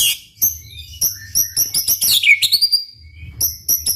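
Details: Shama song intended to prompt other shamas to sing: short sharp high whistles and chips in quick bursts, a brief descending slur, gaps of near-silence, faint low hum.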